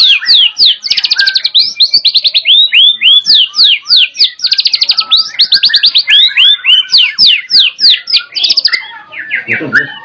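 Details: White-rumped shama singing loudly with canary imitations: fast bursts of repeated chip notes, rising and falling whistled slurs, and dense trills, delivered almost without pause; a brief lower rasping sound near the end.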